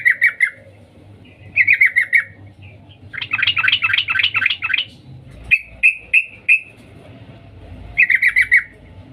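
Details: A female sooty-headed bulbul calling the male: short chattering bursts, a longer dense run of rapid scratchy notes, then four evenly spaced clear chips and another quick chatter.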